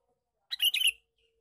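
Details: Sooty-headed bulbul male giving a lure call: a brisk, warbling, chattering phrase lasting about half a second, in near silence.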